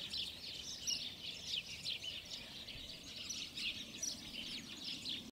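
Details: Beech hedge full of house sparrows at de Donk, Alblasserwaard, recorded on a Sony Cybershot: a busy flock chatter of short, bright chirps repeated rapidly and overlapping throughout, with faint low outdoor rumble beneath.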